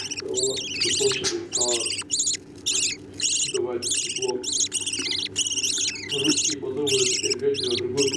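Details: Budgerigar parents feeding chicks, with quick, scratchy, high begging cries in rapid bursts, over 100 a minute, mixed with softer lower chatter and a steady background hum.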